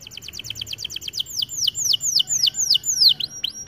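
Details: Canary song for training: quick run of short chirps giving way to slower repeated downward-sweeping whistles, about four per second, clear and high.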